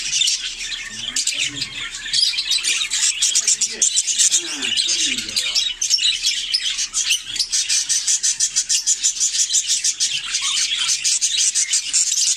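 Budgerigars warble in a dense, continuous stream of chirps, clicks and scratchy chatter.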